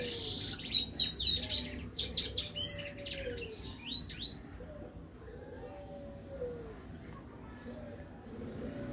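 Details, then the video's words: Mule hybrid of finch and siskin: a burst of fast high twittering and whistled notes for about five seconds, then quieter, with soft low tonal sounds continuing behind. "FICH HYBRID MULE SISKIN GACOR TEMBAKAN"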